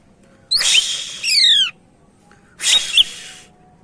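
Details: Two loud, harsh buzzes from a greater green leafbird in energetic gacor song, used to lure other birds. The first ends in several steeply falling whistled notes, the second in a short twisting chirp.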